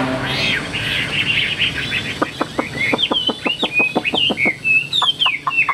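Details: Singing caged Hwamei, tame and flaring its wings eagle-style: a run of sharp clicks that sounds almost like tapping, woven with slurred and descending whistles that grow louder toward the end.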